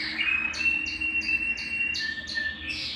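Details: Belgian canary singing to stimulate males and bring females into breeding condition; a steady high whistled tone under a series of quick repeated chirping notes, about three per second, then a lower sustained note.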